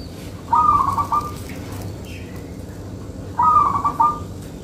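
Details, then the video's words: A local zebra dove (perkutut) gives two short, stuttering phrases of soft, trilled cooing about three seconds apart over a quiet hum; presented as a lure call that other doves answer within seconds. "Perkutut Lokal Manggung Rapet"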